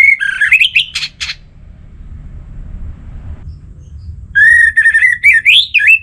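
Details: Energetic 'gacor' singing from an Orange-headed thrush, used as a lure to set other thrushes singing, Singaraja, northern Bali: warbled whistled phrases and rasping notes, then a pause, then a fresh burst of sliding, rising and falling whistles.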